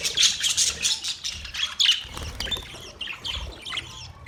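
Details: Colony of budgies chattering: busy, high buzzy chirps and short squawks pile up in the first two seconds, then thin into scattered softer twitters, with some wing-flutter sounds.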